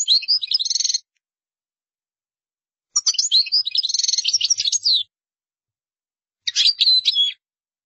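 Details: European goldfinch singing in the qdara style: three bursts of bright, tinkling twitter, fast liquid trills and chirps high in pitch, separated by silent pauses of about two seconds.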